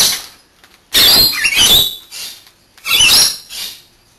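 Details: Rainbow Lorikeets bathing in turn, kept as pets: two loud, shrill, grating screech bursts about two seconds apart, each ending in a brief softer trailing note.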